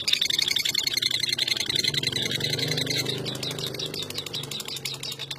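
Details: National first-place champion lovebird delivering ngekek, a long-duration chattering trill: rapid high buzzy pulses run steadily through the whole stretch, over a low engine-like hum in the background.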